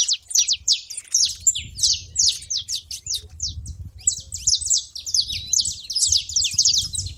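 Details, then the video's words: Feeder noise from saffron finches: rapid, tightly packed high chirps from several birds, pausing briefly midway before the chatter resumes, over a faint low rumble. "canário da terra fazendo barulho na seva"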